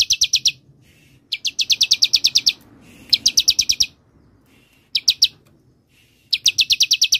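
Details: Bar-winged prinia 'semi' song, used as a lure and teaching recording for songbirds: fast, dry, high-pitched notes strung into short trilled bursts, some brief and some longer, separated by pauses of about half a second to a second.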